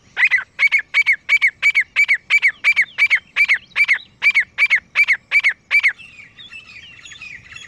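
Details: Grey francolin pair calling: a steady, fast series of loud harsh notes, about three per second, each with a shrill piping tone, for six seconds before stopping, followed by faint distant bird chatter.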